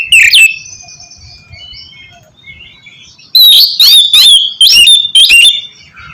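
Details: Oriental magpie-robin song used to coax a reluctant bird into singing: a loud opening chirp, faint background warbling, then a burst of four clipped, rising whistled phrases near the end.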